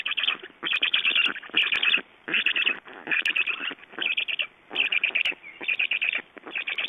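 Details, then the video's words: Estonian black storks at a feeding, late evening of 11 June 2012 at 22:44, producing loud, scratchy, chattering phrases repeated roughly every second, each burst made of fast clicking pulses. "Estonian Black Storks - Feeding"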